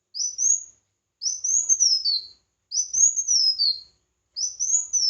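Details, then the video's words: Competitive song of a red-whiskered bulbul, recorded for voice training: four high, sweet whistled phrases about once a second. Each climbs and then drops in a fluid warble against a silent background. "Chào Mào Hót Đấu"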